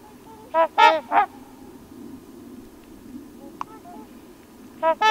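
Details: Trumpeter Swans at Crex Meadows in western Wisconsin in fall, on dark water lit by low-angle sun: a burst of three brassy, nasal honks, a long quiet pause with distant faint calls, then two more honks at the end.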